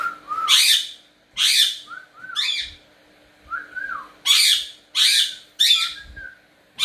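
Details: Pet cockatiel indoors, trading whistles with its owner: loud harsh squawking bursts alternate with short, clear rising and falling whistled notes, about seven calls in quick succession.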